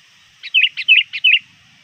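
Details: Sooty-headed bulbul, often trained and very active near dusk, calls to rivals with three rapid bubbly phrases in under a second, each a sharp note falling into a warbled whistle, in a quiet setting.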